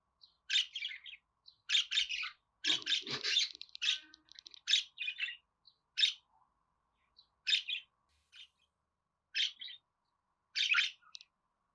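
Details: Budgerigar warble: a long stretch of fast scratchy chirps and rattling chatter with a grating rasp near the start, then single bright notes spaced out toward the end.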